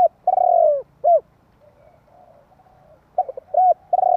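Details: Spotted dove calling to provoke other doves: short coos, then a long, rolling, descending croo and a clipped final note, with the phrase repeating after a quiet gap.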